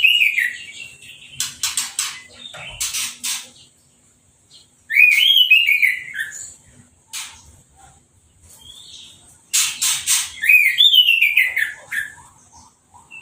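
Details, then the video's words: Orange-headed thrush after moult, bathed by hose spray and left uncovered, singing in phrases: harsh buzzy bursts alternating with descending whistled runs, with silent gaps between phrases. "Anis Merah Sehabis Mabung Mandinya Disemprot Selang , Gak Pakai Kerodong , Bisa Langsung Berbunyi"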